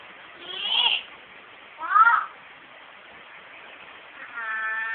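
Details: Pet female myna kept at home, which copies household words and conversation, giving a few harsh squawks and a rising slurred note, then a drawn-out nasal harmonic call at the end, in a quiet room.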